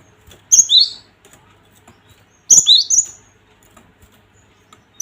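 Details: Cinereous tit (gelatik batu) calling to goad other birds into song and fighting mood: brief two-part whistled phrases, a high note then a lower swooping one, repeated about every two seconds with silence between.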